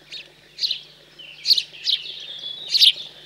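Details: Begging house sparrow fledglings during feeding in chilly rural central France on 15 June 2020: loud clustered chirps, three quick ones then a final strong doubled note, with a thin whistle between.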